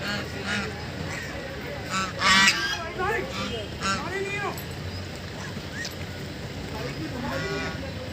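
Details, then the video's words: Several ducks playing on Bhimtal lake give harsh, nasal honking calls in short overlapping bursts over a steady background hiss, with what may be voices faintly mixed in. "Duck's playing and making noise"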